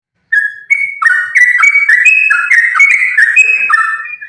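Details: Sooty-headed bulbul in energetic fighting-style song, used as a lure to get other bulbuls singing: a single clear whistle opens, then a fast unbroken run of bubbly, warbled two-tone phrases, each rising or falling, several per second.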